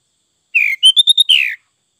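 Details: Kutilang, the sooty-headed bulbul, sings a single lively phrase: a descending whistle, four or five quick liquid notes climbing slightly, then a long downward-sliding final note.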